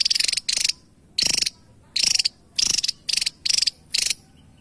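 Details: Javan tesia singing: eight grating, pulsed bursts in under five seconds, each a harsh fast rattle, spaced by short quiet pauses.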